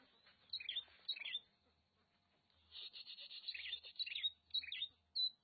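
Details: Singing Oriental magpie-robin from Nagan Raya, Aceh, delivering scratchy chattering runs mixed with sharp whistled notes, ending in a lone high whistle, with faint low hum behind.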